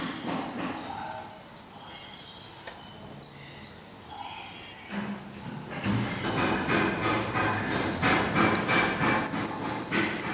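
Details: Black redstart at its nest in Portugal. A rapid run of very thin, high notes repeats steadily, then gives way midway to a burst of rustling broadband noise. The high repeated notes resume near the end.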